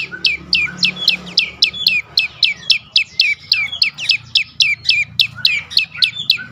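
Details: Singing prinia (prenjak lumut), played to stir silent birds into song, repeating a sharp descending chirp about four times a second in a steady, energetic train.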